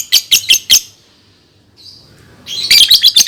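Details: Lovebird sound played as a prompt to teach young birds to sing: four sharp, shrill chirps in quick even succession, a short pause with a faint thin whistle, then a dense burst of rapid high chattering.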